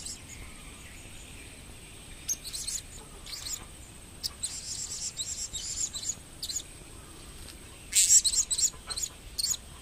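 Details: Blue-crowned hanging parrot, a pet bird in 2015, uttering irregular bursts of high-pitched squeaky twittering, growing louder toward the end with a strong shrill burst, over faint constant background noise.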